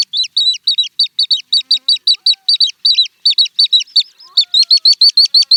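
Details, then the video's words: Little stint singing a long rapid series of high, thin, sharply downslurred chirps, roughly three per second, the pattern shifting midway with a brief pause and faint lower whistles behind. "Little Stint - Song & Call"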